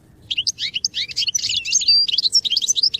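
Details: Goldfinch song used for song training: continuous rapid high twittering, tinkling chirps mixed with short clear whistled notes and buzzy trills, lively and unbroken, faint low hum behind.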